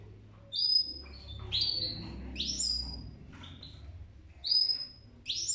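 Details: Goldfinch giving spaced, high, thin notes, each a quick slurred chirp about a second apart, with quiet gaps and a low hum between them.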